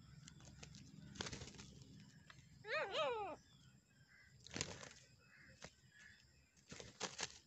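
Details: Black francolin, a dakhani teetar, during a fight: one loud, harsh, arched call with stacked overtones in mid-clip, set among scattered clicks, knocks and flapping noises.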